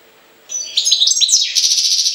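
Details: European goldfinch from Jagodina, Serbia, pouring out a loud, continuous twittering song of tinkling notes running into a fast, buzzy, rattling trill.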